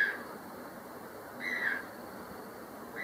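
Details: White-throated toucan vocalizing in secondary forest near Acacías, Meta, Colombia; one clear yelping, falling note mid-clip, with the edges of further calls at start and end over a soft forest hiss.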